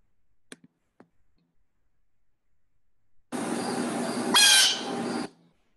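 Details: A Blue Jay gives one harsh, raspy squawk lasting about two seconds, noisy and loud, roughening at its peak, after a few faint clicks; a very often heard call of this year-round Central Park bird.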